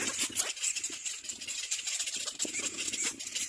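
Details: Little black cormorant visiting nests to feed young; nestlings give continuous wheezy, scratchy rasping, quick bursts piling over each other, with faint lower chattering notes mixed in.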